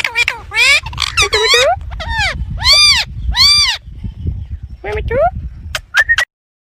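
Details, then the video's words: A talking rose-ringed (ringneck) parakeet runs together several high, nasal, human-like phrases, "mian mithu churi khani", then ends with a few sharp, clipped whistles. "talking Ringneck parrot beautiful sounds and calling mian mithu churi khani ah"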